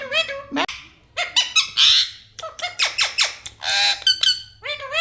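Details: Parrot kept as a pet calling indoors: a rapid run of harsh squawks mixed with squeaky, harmonic, speech-like notes, loud and close in a small room.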